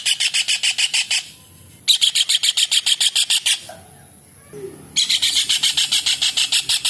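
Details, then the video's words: Vigorously calling kingfisher, known locally as cekakak or raja udang and kept as a tutor voice for songbirds: three long bursts of rapid, rasping repeated notes, each burst lasting over a second with short silent gaps between. "TENGKEK UDANG / CEKAKAK GACOR / RAJA UDANG Masteran UNIK"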